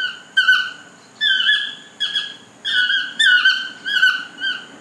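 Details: Garden toucan at a lodge giving a steady run of harsh, nasal yelping notes, each dropping in pitch, repeated roughly every half second with little pause between bursts.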